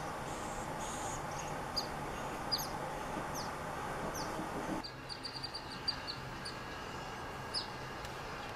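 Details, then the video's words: A Black Phoebe in California, where it is common year-round, gives thin, sharp, high downslurred chips, singly or in quick pairs every second or so, over a steady rumble of background noise. "Black Phoebe Flycatcher Sounds ~ Call ~ Song ~ Whistle"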